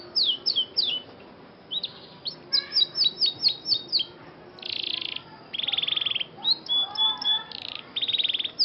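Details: Scotch Fancy canary in song training, opening with falling chirps, then repeated sweeping notes, dense buzzy rattles and level whistled tones in varied phrases.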